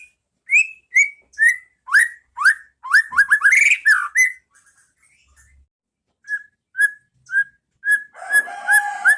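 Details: White-rumped shama song in the clear 'pastol ngeplong' style, a training recording for caged birds: loud whistled notes near 2k repeated about twice a second, a rapid run of rising sweeps, a quiet pause, then further whistles over a burst of harsh rasping.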